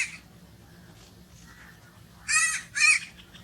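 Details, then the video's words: Crow giving two loud, harsh, raspy caws in quick succession near the end, after a quiet stretch with only faint background hum. "crow noises sounds"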